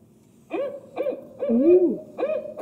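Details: An Iowa Barred Owl gives four deep, rhythmic hoots about half a second apart, the third drawn out and sliding, in the familiar 'who cooks for you' pattern.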